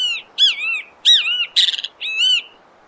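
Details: Great kiskadee, locally called bem-te-vi, singing in nature: loud, harmonic notes that rise and then slide down, given in four phrases, one of them a rapid burst of stuttered notes, with no other sounds.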